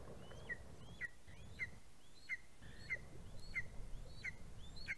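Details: Recorded by a live nest cam on 11 August 2020 as a greater spotted eagle chick flies from the nest: around eight shrill yelps, rising then falling sharply, roughly every two-thirds of a second over a low, rumbling background.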